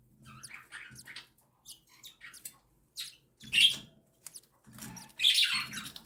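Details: Captive cockatiel chicks aged one and seven days begging as their mother feeds them; soft scratchy chirps early, then two loud hoarse rasping bursts near the end, with low rustling beneath.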